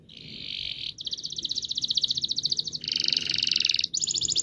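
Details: Canary delivering long rolling song to prompt silent birds to sing: a buzzy steady trill changing into several fast rattling rolls of differing pitch, continuous throughout.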